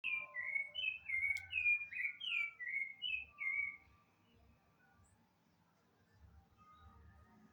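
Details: Rufous-bellied thrush (sabiá-laranjeira) singing a fast series of clear, slurred whistled phrases, each dropping slightly in pitch, delivered rapidly for about four seconds before fading into quiet background with faint distant tones.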